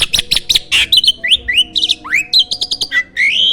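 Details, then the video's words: Champion starling, famed for bold delivery at song contests, sings a master phrase for training birds: choppy harsh notes mixed with sliding upward whistles, each note short and sharply separated. "MASTERAN BURUNG JALAK SANG JUARA!!"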